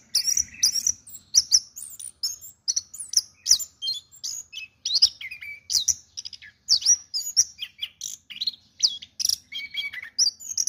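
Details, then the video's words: Orange-headed thrush, an award-winning caged songbird, delivering a long, fast, varied song of high chirps, whistles and buzzy notes, with occasional lower slurred phrases and almost no pauses. "BURUNG ANIS KEMBANG BAGUS DAN BERPRESTASI"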